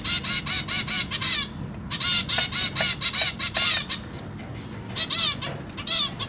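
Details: Zebra finch chicks, newly hatched and juvenile, beg from their feeding parents in a large cage, 29 September 2023. Fast runs of buzzy, nasal, bright notes pour out in clusters with short pauses between them, over faint low hum.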